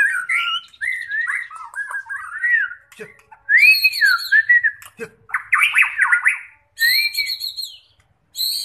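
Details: White-rumped shama being readied for a song contest, delivering rich, varied whistled phrases that rise and fall, with brief pauses between bursts and a few sharper, higher notes.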